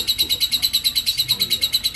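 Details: Lovebird giving a ngekek konslet song: a continuous high, buzzy chatter of rapid pulses, about eight per second, running unbroken for two seconds without pause.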